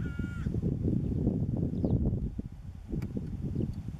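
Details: A hooded crow in Cyprus gives one short, harsh, nasal caw at the start, followed by steady low rumbling wind noise.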